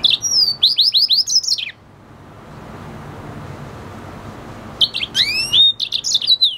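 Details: Red siskin and canary F1 cross sings two bursts of bright twittering song, a chain of rising slurred notes and sharp high chirps, separated by about three seconds of faint background hiss.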